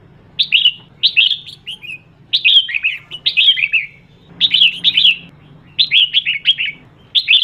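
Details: A female red-whiskered bulbul calls to excite males. Clusters of quick warbled, whistled notes come in bursts of two to four, separated by short gaps, over a steady low background hum.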